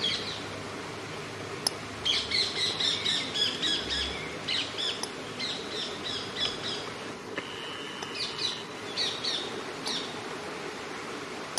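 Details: Eurasian coot family with four chicks in Friedrich Ebert Park, Ludwigshafen, Germany: bursts of high, sharp chirping notes in quick runs, a steady thin whistled tone midway, over a constant outdoor background hiss.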